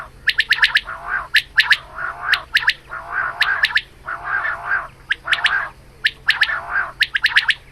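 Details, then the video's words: Female quail calling in the morning, recorded for quail hunting: bursts of three or four sharp, high clicking notes, each followed by a lower gurgling warble, repeated roughly once a second with a steady low hum beneath. "Female Batair Calling Suba"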